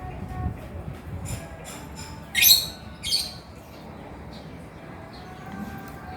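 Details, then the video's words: Male lovebird giving two loud, grating high-pitched bursts in quick succession, with softer scratchy chirps before and after over a faint humming background. "SUARA BURUNG LOVEBIRD GACOR JANTAN"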